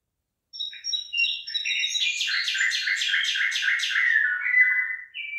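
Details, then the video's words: Songbird in a rice field with ripening rice: a long, fast, varied warble of high whistles and rapid trilled notes, ending in a clear falling whistle. "ฟังเสียงนกร้อง เพราะมาก"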